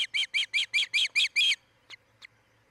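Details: Osprey calling at a nest near Charlo, Montana, shared by a breeding pair and filmed by a nest camera on 07-10-2018, 03:29–04:29. Eight loud, clipped whistled chirps come in quick succession, followed by two softer, isolated notes.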